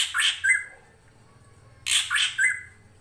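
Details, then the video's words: Drongo song used as a training master for songbirds: two bursts of rasping, scratchy chatter, each ending in a short whistled note, separated by a pause, over a low steady water murmur. "MASTERAN SRIGUNTING KRANTIL FULL ISIN"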